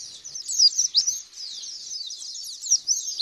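A white-eye's fast, high twittering warble of thin rising and falling notes runs without pause. No other sounds stand out.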